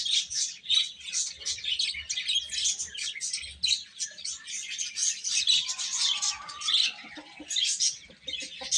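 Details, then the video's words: Young chickens peeping busily while eating, a crowded, high-pitched chatter of overlapping calls, with a few lower sliding notes near the end. "Cute Chicks Chirping Sounds | Little Baby Chicken Eating"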